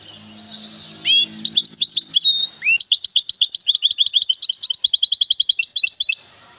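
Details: Goldfinch hybrid kept in a cage, from Temara, singing a fast, continuous run of high chirps, tinkling trills and buzzy twitters for about five seconds, with low voices audible before the song starts.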